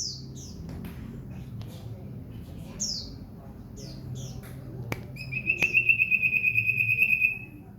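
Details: Singing house-kept common iora gives a long, fast, even trill for about two seconds near the end, after scattered high descending chirps from other birds over a low indoor hum.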